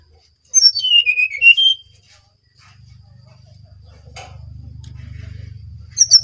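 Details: Brown-chested jungle flycatcher from Bali, singing actively: a quick whistled phrase that drops from high sharp notes into lower, warbled tones, then falls silent before a low steady hum and a brief high note at the end.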